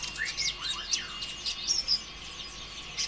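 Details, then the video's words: High-pitched sunbird song, used as a lure to make other konin birds start singing. A dense, continuous jumble of fast slurred whistles and squeaky chirps. "PANCINGAN ampuh suara konin ijoan KONSLET"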